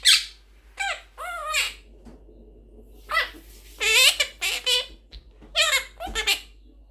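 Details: Blue pet Quaker parrot (monk parakeet) talking indoors: squeaky, nasal, word-like phrases in short bursts, separated by pauses, in a quiet small room.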